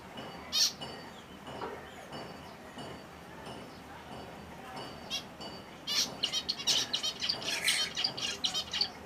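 Finches give high, thin chirps and short twittering bursts, sparse at first, then a busy run of quick notes near the end.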